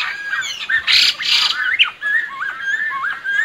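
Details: Lesser necklaced laughingthrush song used to lure birds for trapping: a run of short, clear whistled phrases with rising and falling slurs, broken by loud, harsh noisy bursts near the start.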